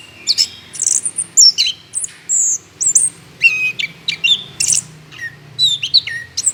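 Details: Orange-headed thrush in rich, vigorous song, meant to lure other birds into singing: a medley of sustained high whistles, harsh chips and falling slurs, changing with nearly every phrase.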